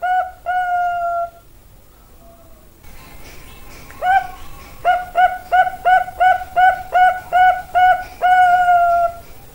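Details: Perkutut, or zebra dove, of the Bangkok type: two clear coos, a quiet gap with faint rustling, then a fast series of nine clipped coos ending in a longer held note.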